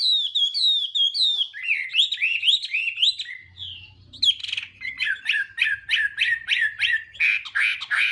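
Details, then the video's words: Chinese hwamei singing a morning contest song as voice training: descending series of fluting notes, rising whistled slurs, a brief pause, then rapid rhythmic repeated notes, several per second. "Hoạ Mi Hót Đấu /hoạ mi hót sáng luyện giọng kich bổi sổ giọng"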